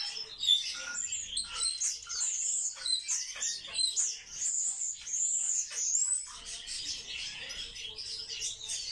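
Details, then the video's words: A group of captive sparrows calls in a lively mix of sharp chirps and thin, high whistled slurs, several rising notes standing out near the middle before the chatter softens. "Воробьи - Sparrow"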